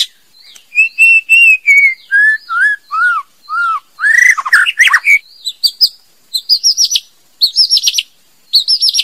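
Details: Song of a female white-rumped shama: a run of clear, steady, descending whistled notes, then quicker, louder, buzzier phrases. These end in repeated high rising slurs grouped in short bursts.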